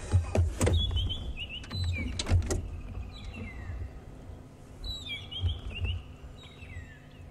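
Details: At sunrise on 24 February 2016 in Sabi Sand, magpie shrikes call in fluid, whistled, rising and falling bursts, possibly alarm calls, as a scrub robin calls nearby, over an idling safari vehicle's low rumble and knocks.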